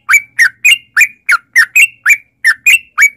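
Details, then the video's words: Sooty-headed bulbul lure recording for prompting caged birds to answer, heard as a steady series of short rising whistled notes, about three or four per second, each clean and separate. "trucukan gacor TARUNG ROPEL PANJANG pancingan trucukan agar bunyi jadikan burung trucuk gacor NYAUT"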